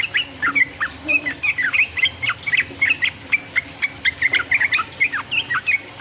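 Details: Yellow-vented bulbul singing 'uplik uplik' phrases meant to rile up rival birds; bright rippling chirps in a steady, lively rhythm.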